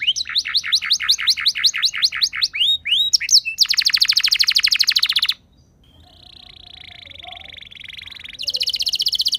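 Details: Canary singing as a lure for other canaries: quick repeated arched notes, a loud rolling trill, a softer steady whistled tone, then another fast trill.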